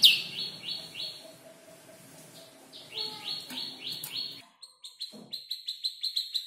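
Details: Canary roughly five months old copying ciblek and prenjak lumut phrases; repeated falling whistled notes over a low background hum, a brief gap, then a rhythmic series of short high chips.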